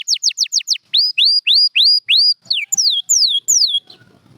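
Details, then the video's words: Champion canary singing for training: a quick run of short notes, then a series of upslurred whistles, then long descending slurred whistles repeated about twice a second. "White Canary's 30 Minute Harmony : The Key to Your Bird's Singing Success"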